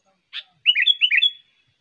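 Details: Sooty-headed bulbul song from a trained bird, used for luring wild bulbuls and as a tutor recording: a short high chirp, a pause, then four quick bubbly, warbled notes in a tight rising-falling run. The background is silent.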